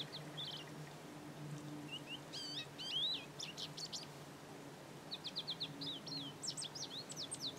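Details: Male goldfinch in breeding plumage singing sweetly in a garden: bursts of quick twittering, rising and falling notes with brief pauses, then a longer, dense warbling run; steady low hum in the background.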